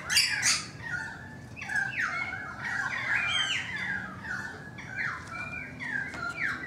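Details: Currawong song heard from a balcony, a run of loud warbling, downward-sliding whistled phrases repeated in quick succession, with a few sharp higher notes.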